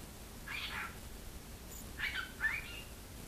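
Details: A cockatiel imitates human speech in three scratchy, high-pitched bursts, like "whatcha doin," also saying "pretty bird."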